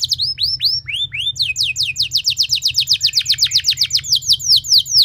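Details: Long, loud canary 'nembak' song used to prompt other canaries into song: a few looping slurred whistles, then a quick run of sharply falling notes at about four per second, over a low hum.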